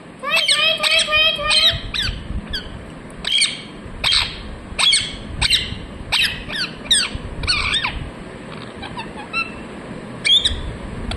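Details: Parrot chirping: a run of bright, harmonic chirps and squawks, some with short warbled notes early on, then sharp separate calls spaced irregularly about a second apart.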